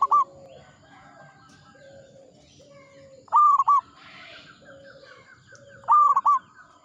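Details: Local perkutut, or zebra dove, an old bird singing strongly, gives three loud stuttering coo phrases spaced about three seconds apart. Lower cooing from other doves and a short rustle sound in between.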